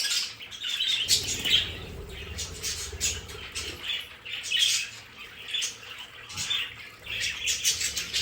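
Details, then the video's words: In a home play area, budgerigars mix harsh, squawky notes with high chirping warbles in uneven bursts, over a faint low rumble. "Sonidos de periquitos Australianos"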